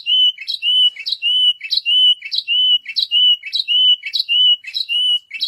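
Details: White canary song built from a repeated pair: a sharp higher chip followed by a smooth level whistled note, the unit repeated evenly about every half second across the clip.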